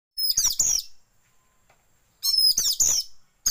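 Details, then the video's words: Oriental magpie-robin lure song, used to train birds to open their tail: two loud bursts of rich, sweet whistles and chattering notes, separated by a second of silence. "pancingan kacer buka ekor"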